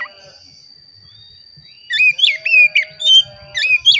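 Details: Oriental magpie-robin song played to prompt caged magpie-robins to sing: quiet start, then repeated sweet whistled phrases with quick upward and downward slurs over a faint constant high tone.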